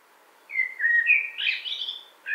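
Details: Common blackbird song: a low, mellow fluted warble around the middle register that climbs into a brighter, higher squeaky flourish at the end, with a new phrase just starting as it cuts off.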